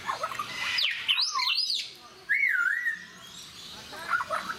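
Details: Captive African grey parrots at Mysore Zoo, a talking species, give swooping whistled notes that slide up and down, then a single long wavering whistle, with short squawky chirps at the start and end.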